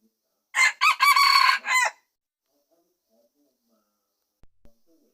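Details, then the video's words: Red junglefowl crowing in 2020: one loud crow made of a short opening note, a long harsh sustained middle and a falling end, lasting about one and a half seconds, followed by silence and two faint clicks. "Suab qaib qus qua zoo heev 2020"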